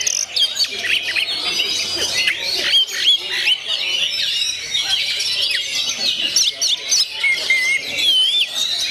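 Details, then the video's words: Oriental magpie-robin in gondo mayit song: rapid, overlapping whistles and scratchy chirps, with a few longer drawn-out whistled notes toward the end. "SUARA ASLI KACER GONDO MAYIT"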